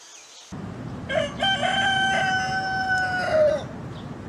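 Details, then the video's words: A single rooster crow at dawn on a farm: a drawn-out, steady harmonic call of about two and a half seconds, ending with a wavering drop, over a constant low rumble. "Galo Cantando no Sitio ao Amanhecer - Rooster Singing Site"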